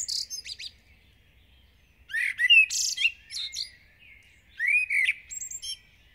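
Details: Common blackbird (Turdus merula), a village bird singing intensely at dawn: two mellow, fluted verses, each ending in a thin, squeaky chattering warble, after an opening burst of high twittering.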